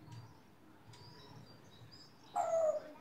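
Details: Female grey parrot kept on a farm, chattering nonsense to entertain the people there, produces a brief clear tonal whistled sound near the end after a stretch of quiet background with faint clicks.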